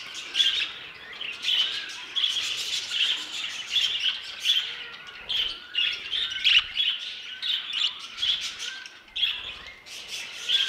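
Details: Violet budgerigar mutation; bursts of scratchy, chirping warble come in quick pulses about once a second, mixed with clicks and brief whistled notes throughout.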